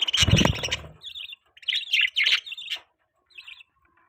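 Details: Budgie chirping: a low thump at first, then short warbled chirps in quick clusters, fading to a few soft notes.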